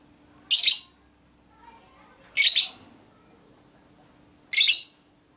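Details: Female lovebird calling in the ngekek konslet minor manner, meant to set other lovebirds off: three rasping, high squawks about two seconds apart, with a soft hum and slight room noise between them.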